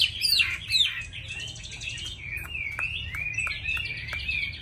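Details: A tame captive Chinese hwamei in good song sings loud, slurred whistles that sweep up and down, then a quick run of repeated clear notes broken by sharp clicks, over a low background hum.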